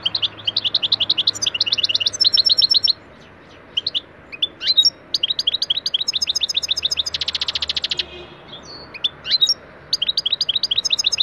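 A European goldfinch sings a fast, tinkling stream of bright twitters and liquid trills, with a brief buzzy passage near the end, over faint background hiss.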